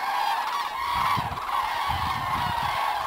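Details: Returning cranes calling overhead in South West France in February; a brief, unbroken wash of rolling trumpeted calls from many birds at once, with soft low wind buffeting.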